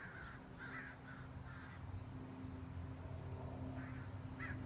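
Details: Two crows chasing off a hawk from their colony: a few rough caws in a loose cluster early, then two more late, over a constant low mechanical drone.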